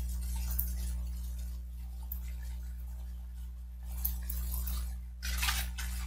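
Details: Indoor hum with scattered light clinks like glass or cutlery and a short burst of handling noise near the end; no animal calls.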